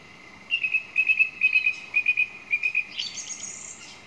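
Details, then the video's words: Song thrush repeating short, bright notes in quick groups of two or three, then switching to a higher, thin trilling phrase near the end. "Song Thrush 2"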